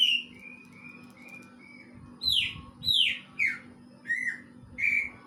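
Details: Kingfisher-like song of a greater green leafbird: four soft level whistles in quick succession, followed by loud sweeping downslurred notes and rising whistles at roughly half-second intervals.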